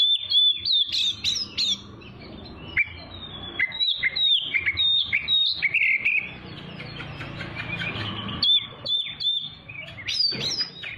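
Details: Oriental magpie-robin tutor song for young birds, said to provoke rivals; dense rapid phrases of whistles and sharp clicks, a busier stretch with a blurred warble in the middle, then crisp high notes again.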